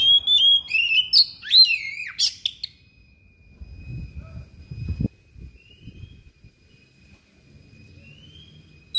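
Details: Thick-billed kacer (magpie-robin) singing a sharp, insistent song full of mimicked fill-ins: loud high whistles, swooping slurred notes and clicks in the first few seconds, then quiet with low bumps and a steady thin tone.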